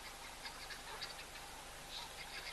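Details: Guineafowl alarm calling on a breezy day in January, during Africa's green season: harsh, rattling calls in repeated bursts over a steady background hiss.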